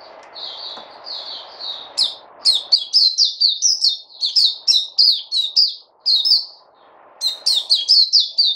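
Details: White-eye (puteh), caged and fed fruits, 29 August 2020, starting with soft high warbled notes over a hum, then breaking into long loud runs of rapid sharp twittering chirps with brief pauses.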